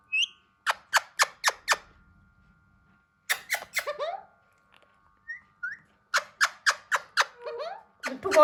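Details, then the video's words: Rapid series of sharp, evenly spaced squawks, a tumbling garbled phrase, a few soft whistles and another fast squawk run from a hand-tame Alexandrine parakeet attempting speech. "Handtame Raw Parrot Trying To Talk Clearly"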